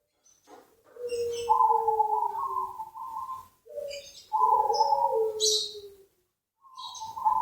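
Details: Zebra dove (perkutut) song: long, purring coos that slide between a higher and a lower pitch, strung together in phrases a few seconds long, with faint high chirps in the background.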